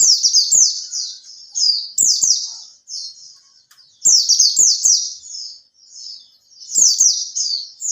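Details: Caged Oriental white-eye, kept three months and starting to fan its tail, used as a lure song: high, rapid twittering phrases of descending slurred notes in bursts about a second long, separated by short pauses.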